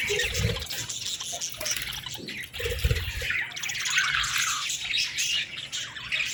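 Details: Hungry budgerigar chicks chirp continuously in raspy, overlapping calls, while low thumps and knocks sound now and then in the background.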